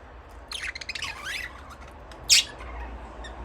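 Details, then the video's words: Budgerigar chirps: a run of sliding, warbling notes falling then rising, followed by one loud sharp squawk, then near quiet with low hum. "Budgies parrot chirping sound"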